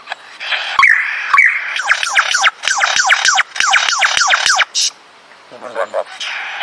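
A lyrebird sings a rapid run of loud, descending whistled sweeps with sharp clicks, about three or four each second, then fades into softer, lower notes.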